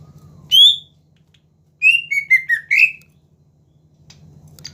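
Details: A greater green leafbird gives one clear whistled note, then after a pause a quick run of four slurred whistles dipping and rising. Low hum underneath; the song serves to lure rival birds into singing.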